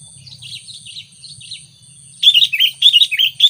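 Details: Sooty-headed bulbul lure song for attracting wild bulbuls: after soft, distant chirps, a loud run of rapid, bubbly whistled notes bursts in, repeated in quick succession, with a faint high hum throughout.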